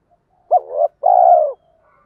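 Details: Spotted dove, male and female calls used to stimulate training birds: one phrase of a sharp rising note running into a wavering second note, then a sustained, slowly falling coo.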